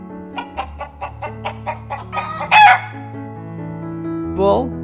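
A chicken gives a run of about ten quick, evenly spaced clucks, then a brief, loud, strained crow and a final shorter squawk, over steady background music.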